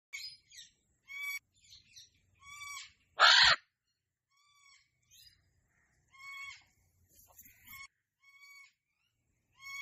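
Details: A pet cockatoo gives short, nasal, harmonic squawks in irregular bursts, broken once by a single loud, harsh screech lasting about half a second.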